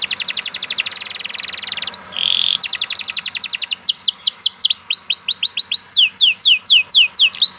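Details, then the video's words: Singing canary: a long rapid trill, then a short buzzy burst, another fast trill that slows into spaced, descending whistled slurs, and a final held note. Nothing else is heard. "The Lazy Canary Sounds Immediately After Hearing the Sound of the Canary This One || Voice of Canary"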